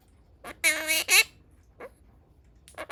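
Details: A pastel blue monk parakeet mimics Japanese speech in short, harsh, word-like bursts with strong, buzzy harmonics, then pauses and repeats a brief phrase; the room is otherwise quiet.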